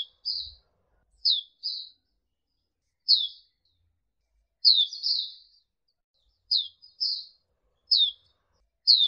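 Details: Pleci auriventer tutor song for training birds: separate high, thin downslurred chirps and short paired notes, irregularly spaced about a second apart, against near silence.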